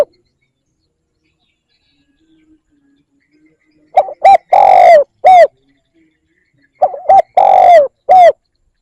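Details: Spotted dove calling, meant to provoke and attract doves: two phrases of low, husky coos, each a quick pair of short notes followed by a longer drawn coo and a final short one, with quiet in between.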